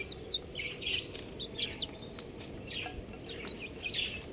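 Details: Young chicks giving a few high, sharp peeps, each a short downward slur with irregular gaps between them, over soft hiss and scattered rustling noises.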